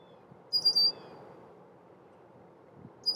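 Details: Male red-winged blackbird warning of intruders near its nesting area, giving a thin, high, level whistled note, then quiet, with a second call starting at the end over soft low background rumble.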